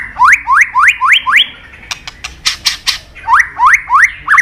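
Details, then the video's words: White-rumped shama of the Medan type in full song with imitated fill-ins: a quick series of five rising whistled upslurs, a few sharp clicks, then another run of rising upslurs. "Murai batu gacor isian super lengkap"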